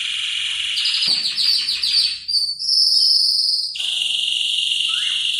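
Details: Canary song played to encourage a silent canary to sing: a fast buzzy trill of repeated notes, then a series of falling chirps and long, steady high whistled tones, ending in a sustained rolling trill.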